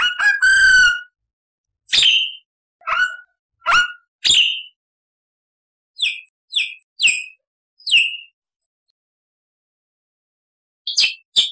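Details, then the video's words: Black-winged starling giving a harmonic downslurred whistle followed by scattered sharp, squealing rising and falling notes with silent gaps between them. "MASTERAN JALAK PUTIH GACOR FULL ISIAN"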